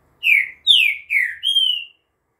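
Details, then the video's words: A green-winged saltator sings at 2:30 in the afternoon on 11 September, giving a loud phrase of four rich whistled notes, the first three slurring downward and the last held steady, all within two seconds. "CANTO DO TRINCA FERRO"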